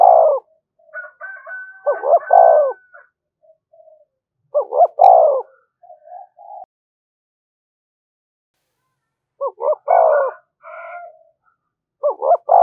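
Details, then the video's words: Spotted dove call meant to provoke rival doves. Phrases of two quick rising notes and a drawn-out falling coo repeat with long pauses. Faint thin whistles and soft low notes lie between phrases. "tiếng chim cu gáy kích bổi"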